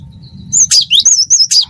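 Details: Brief wingko-style burst from a gelatik batu (cinereous tit): several rapid high whistled and slurred notes, some harsh, within about a second, over low hum.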